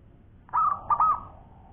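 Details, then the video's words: Zebra dove, local perkutut, giving one long cooing phrase: a clipped first note and two rolling, trilled coos that fade into a soft tail. "Bunyi Perkutut Lokal Gacor Suara Panjang Juara"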